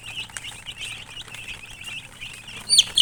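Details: Chickens chirping in a group, soft quick peeps packed closely together, ending with two louder, shriller chirps in the final half second.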